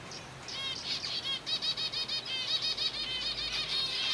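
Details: Captive zebra finch colony feeding on softfood; a steady stream of nasal, buzzy, harmonic-rich beeping calls from several birds, repeated roughly three times a second and overlapping, with faint wing flutters and no other noise.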